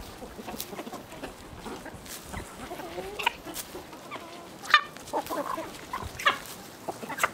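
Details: Chicken from a village scene, sparse short clucks and sharp clicks spaced irregularly over several seconds, with a low murmur of background noise.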